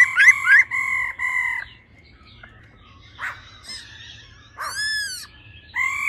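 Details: Female laughingthrush calling 'ro ro', used to get males roused: steady whistled tones at the start, a quiet stretch with faint harsh notes, then one bright arching note and a closing level whistle.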